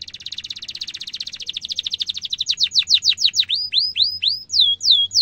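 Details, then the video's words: Lively canary song, a teaching lure for young canaries: a rapid rolling trill that slows into loud swooping chirps, some falling, some arching upward. "kenari gacor panjang cuit cuit emosi, pancingan kenari paud belajar bunyi"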